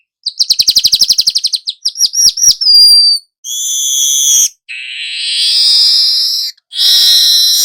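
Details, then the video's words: Young weaver actively rolling, kept to train other birds: rapid chattering ticks, slurred notes and a whistle, then several long wheezing buzzes. "Burung manyar muda AKTIF NGEROL pancingan segala jenis burung"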